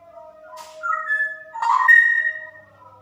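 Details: Female straw-headed bulbul with 'super ropel' song over a steady low whistle: rising clear notes, a sudden rich bubbling burst, then a long ringing whistle that fades into softer notes.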